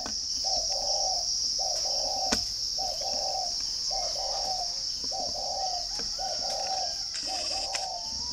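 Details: Spotted dove from a bird garden in northern Vietnam (Ba Vì, Hanoi) coos steadily, seven low two-part phrases of a short lead note and longer falling note, spaced about every 1.2 seconds, against a constant high-pitched insect drone.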